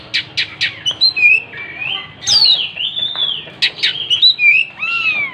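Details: Spreading its tail as it sings, an Oriental magpie-robin mixes rapid sharp chip notes with long, bright whistled phrases that swoop up and down, ending in a rising, curving whistle.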